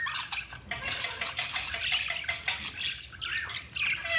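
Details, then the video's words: Budgerigars chirping: a dense stream of short, scratchy chirps and warbles, with a squawky rising note near the end and faint chatter from several birds. "Budgies Sounds| Budgies Chirping sound"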